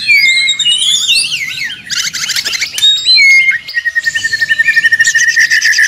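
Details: Noisy white-rumped shama song meant to prompt other songbirds to answer: swooping whistles and buzzy chatter, then a long rapid series of even, clipped notes repeated almost four times a second toward the end.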